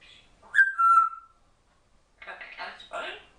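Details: Young female African grey parrot, under one year old, kept as a pet and chatting with many words: a sharp rising whistle that slides down and holds, then a short pause and several speech-like syllables.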